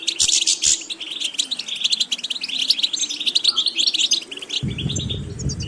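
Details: Trained goldfinch delivering rapid, chattering twitters and tinkling phrases at a steady pace, then a burst of low rumbling noise over the last second.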